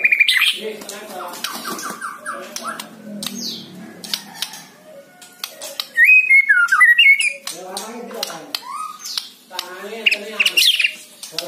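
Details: White-rumped shama song meant to stir a lazy caged bird into singing: a rich, varied run of loud whistled phrases, rising and falling notes and harsh squawky bursts, delivered rapidly with irregular pauses, indoors.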